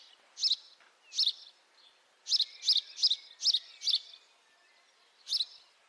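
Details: High-definition microphone recording of house sparrow chirps: two separate bright chirps, then a quick string of five evenly spaced ones, a pause, and a single final chirp.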